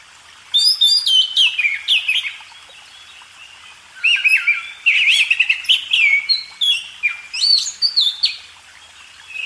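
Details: Oriental magpie-robin song used as a training recording for cage birds: two long bursts of rich, varied whistles and sharp chips, sliding and warbling, separated by a short pause, in a quiet setting.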